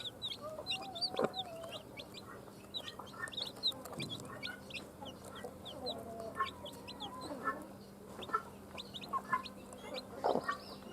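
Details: Just-born chicks from a hen's hatching eggs give a steady stream of thin, high peeps, many overlapping, over a faint hum, with a few low thuds and soft lower calls mixed in.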